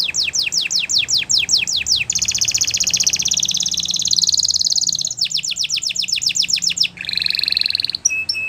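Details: Belgian canary tutor song for young canaries: runs of rapid descending sweeps alternate with long dense buzzy trills and rolled phrases, loud and continuous.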